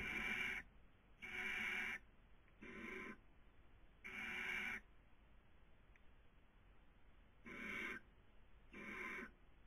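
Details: Barn owl on a nest webcam in Cabañeros National Park, Castilla-La Mancha, Spain, 2020 breeding season; a series of six hoarse, rasping hisses, each roughly half a second to a second long, spaced unevenly over ten seconds.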